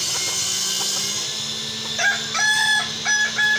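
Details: Kukuak Balenggek rooster in a crowing sparring match, heard after a quiet start as short harmonic syllables, flat and slightly arched, repeated in three bursts over constant background hiss.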